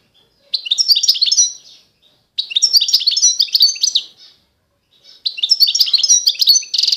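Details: Eastern Algerian Constantine goldfinch song in three quick bursts of bright, liquid twittering and trilled notes, each phrase about one and a half seconds, ending with a buzzy rasp; no other sounds.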